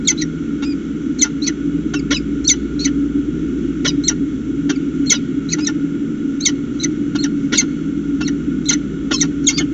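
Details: Peregrine falcon pair exchanging calls at their nest in Orange, NSW, on 25 July 2019; clipped, bright chip notes in loose bursts, sometimes paired, spaced a fraction of a second apart, with a constant low background drone.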